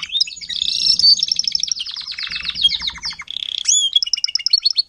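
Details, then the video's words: Adult Timbrado canary teaching young canaries to sing, 2021: a dense, loud run of bubbling trills and rattles blending into high repeated piping notes, over a faint low hum. "TIMBRADO KANARIEN (gesang)"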